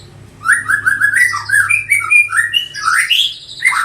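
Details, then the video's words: Six-month-old juvenile white-rumped shama of the Medan type, colony-bred and eighth generation, sings a fast run of slurred whistled phrases. The phrases rise and fall in quick succession, with bright chirps climbing higher toward the end. "Kicauan anakan MB umur 6 bulan"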